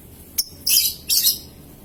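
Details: Lovebird of the paud type, used as a lure to set other lovebirds into long ngekek trills and ngetik ticking: two short, high, harsh chirps follow a faint click.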